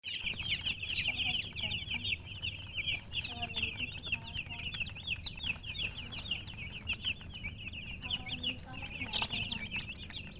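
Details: Domestic chicken chicks chirping: a dense, continuous stream of short, high, rapidly repeated peeping notes from several birds, with a low rumbling background.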